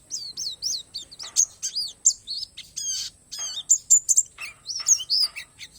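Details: Thin, sweet warbling from a Palas Borneo white-eye: clusters of falling tweets, a few longer whistled slurs and sharp clicks, delivered in a quick, varied flow; song filled with natural phrases.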